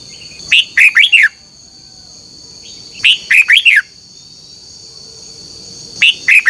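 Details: Morning duel song of a caged red-whiskered bulbul used as a decoy to rouse other birds: three short, loud phrases of three or four warbled, downslurred whistles, about every three seconds, over a steady high-pitched drone.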